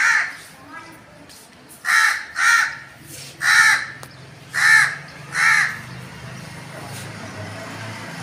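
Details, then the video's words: Crow calling with harsh, hoarse caws, five loud ones in a loose series about a second apart after a fainter opening caw, over low background hum. "crow calling"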